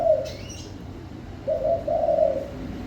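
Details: Spotted dove cooing: the tail of one low phrase, then a fuller two-part coo with a longer trembling second note; a brief high chirp from another bird near the start.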